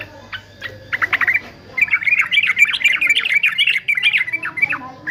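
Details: A few scattered sharp notes, then a male yellow-vented bulbul of fighter type launches into a rich, rapid babbling warble that runs steadily for three seconds over a low background hum.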